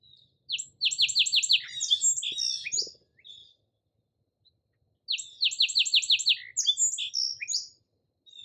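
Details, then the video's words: Song sparrow singing two full songs about five seconds apart, each opening with a series of short, sharp, evenly repeated notes and then a varied buzzy trill. "Song Sparrow Calls and Songs"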